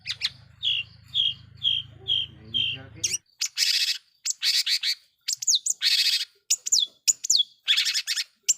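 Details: Long-tailed shrike lure song meant to provoke other shrikes: a run of repeated short whistled notes, then loud harsh bursts and sharp down-slurred whistles; a low hum underlies the opening three seconds.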